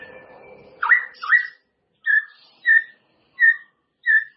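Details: Song for training caged white-rumped shamas: after a faint noisy start, a pair of slurred whistles, then a clear whistled note repeated roughly every 0.7 seconds.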